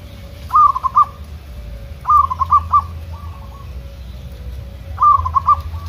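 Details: Wild local zebra dove singing in the open during natural training against wild doves answering each other: bursts of three to four quick rolling coos, repeated every couple of seconds, over low steady background rumble.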